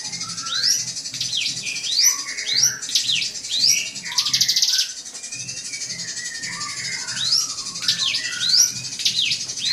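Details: Drongo singing to stir up a rival: a busy run of sharp rising and falling whistles, broken midway by a brief harsh buzzy burst, then more rapid upslurred notes over a faint low hum.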